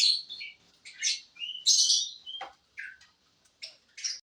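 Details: F2SF canary giving short separated phrases: brief buzzy bursts, chirps and a quick downward note, with gaps of silence between.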